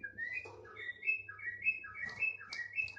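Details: Thick-billed heleia singing a continuous chain of quick whistled slurs, rising and dropping, with occasional higher chips, over a low steady hum.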